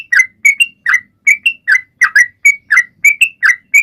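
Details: Sooty-headed bulbul singing to provoke other birds into song: loud, clipped whistles in quick pairs and short phrases separated by brief gaps, alternating a low slur with higher rising notes.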